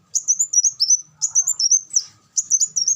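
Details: Kolibri wulung sunbird giving three brisk strings of high, wavering chirps, each lasting about a second, over a quiet low hum.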